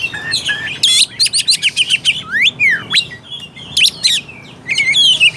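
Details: Energetic Oriental magpie-robin song meant to stir a lazy bird into singing and fighting: rapid runs of sharp chirps, sweeping whistles rising and falling, and buzzy trills delivered almost nonstop.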